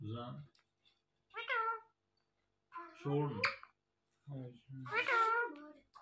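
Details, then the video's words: Friendly pet talking parrot indoors in a small room, uttering short word-like phrases with tonal, rising-and-falling harmonic squawks, alternating with a person's deeper speaking voice; pauses of about a second between phrases. "My So Friendly Talking Parrot's Talking Clips Compilation"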